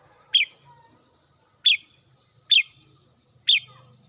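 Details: Home-kept red-whiskered bulbul in morning song, giving four short, clear notes, each dropping fast in pitch, repeated at uneven gaps of roughly one second, with a soft low hum near the end.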